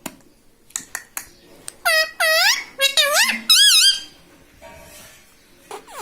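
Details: Indoor pet rose-ringed parakeet talking, said to repeat Mummy, Papa and Mitthu; a few sharp clicks, then a run of short nasal curved syllables and a wavering final note before quiet.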